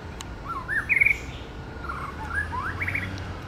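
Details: Male White-rumped shama singing and mimicking other birds: short slurred whistles, a rising phrase then a quick burst of trilled notes, a pause, then more varied rising and falling whistled notes, over a low steady background rumble.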